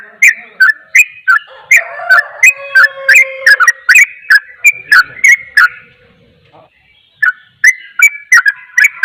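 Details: Rapid sooty-headed bulbul song, a style meant to provoke other bulbuls: quick bursts of clear chirped notes, roughly three a second, with lower ringing tones underneath, a brief pause, then the quick notes resume.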